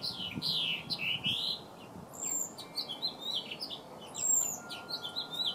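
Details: A male house finch sings to a female, a lively, jumbled warble of high, slurred notes rising and falling for several seconds, over a faint steady hum.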